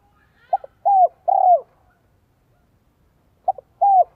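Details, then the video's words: Spotted dove decoy singing in the 'giọng son 1 cốt lỡ' style to lure wild doves: two clipped low notes, a smooth falling coo, then a longer burry rolling coo, with a second phrase starting after a pause. Otherwise quiet. "CHIM CU GÁY GIỌNG SON 1 CỐT LỠ KÍCH BỔI"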